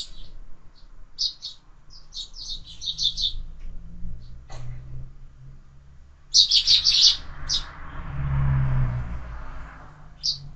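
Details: Sparrows at a window-mounted feeder where birds are fed all year round: loud bursts of rapid, high chirping notes in clusters separated by pauses, with a low rumbling hum in the background.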